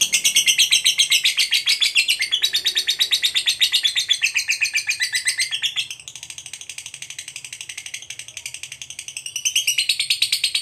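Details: Fighter lovebird in full 'ngekek' song meant to goad other lovebirds: a continuous rattling chatter of about four scratchy pulses per second, loud at first, softening after six seconds, then swelling again near the end.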